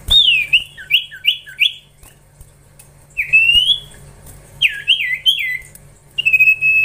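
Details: Young Common Iora (cipoh) in training, giving a series of quick hooked whistles in pairs, then a rising drawn-out whistle, another cluster of slurred notes, and a closing steady high whistle.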